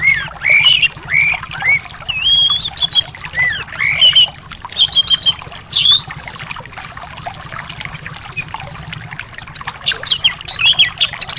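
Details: Thrush song played as therapy for a caged bird that has stopped singing: a rapid, varied run of high whistles and slurred notes, ending in a long, level trill and sharp chirps, over a faint low hum.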